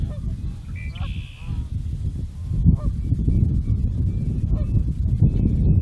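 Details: Trumpeter swans give low, nasal honking calls, a few bugled notes in quick succession, over a steady rumble of wind or water, in the Nebraska Sandhills on 15 March 2014.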